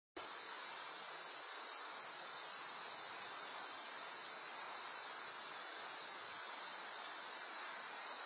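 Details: Constant hissing noise, similar to a waterfall or static, runs throughout after a brief silent start, with no animal voices.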